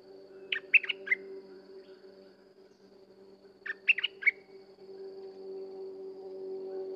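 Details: Sooty-headed bulbul, a gacor-style singing bird, giving two short bursts of three or four quick bubbly notes, about three seconds apart, over a steady low hum.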